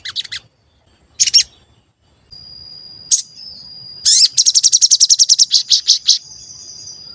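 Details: Sooty-headed bulbul used as a lure to make other bulbuls respond: scattered high buzzy bursts and a thin steady whine, then a rapid stuttering trill of about twenty sharp high notes lasting two seconds.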